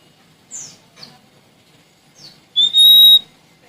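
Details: Sumatran Oriental magpie-robin singing actively to seek out a rival: a few faint downslurred chips, then one loud, steady, high whistle held for about half a second before stopping.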